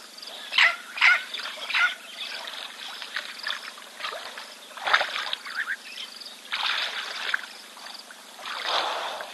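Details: Red-billed oxpeckers on a giraffe at a South African waterhole, 5 March 2024, calling: harsh, hissing, buzzy calls in short bursts, several in quick succession, then more spaced over about nine seconds.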